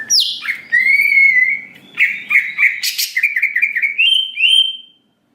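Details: Greater green leafbird, used to provoke an emotional response, opens with a sharp descending note, then a long clear whistle, followed by a rapid stream of scratchy, bubbling notes rising in pitch.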